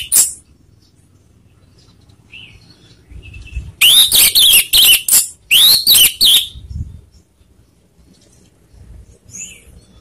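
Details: Orange-headed thrush singing a lure song meant to rile rivals: two quick phrases of rising, arched whistled notes, each phrase four or five notes long, separated by a brief pause, over faint low background noise.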